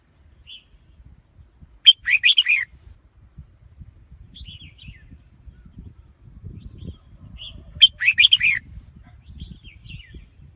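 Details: A red-whiskered bulbul sings two bright, rapid warbled phrases about six seconds apart, with a few soft high chirps between them and a low background rumble throughout.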